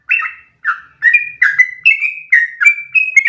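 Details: Sooty-headed bulbul singing a long unbroken song meant for training other birds, opening with two separate falling whistles and then running into a steady chain of bright, level-pitched notes.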